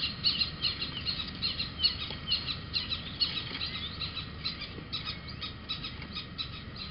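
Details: Little owl at Holten on 2 June 2020 around 21:18, with young at the nest hole, giving alarm: a rapid, uneven series of sharp, high chirping notes, about two or three a second, over a low rumbling background.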